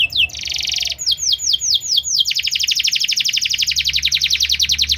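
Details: Canary in loud song, opening with a sharp note and a buzzy sustained trill, then a row of clear, descending whistled notes, followed by a long, very fast rolling trill of evenly repeated high syllables; faint low hum beneath.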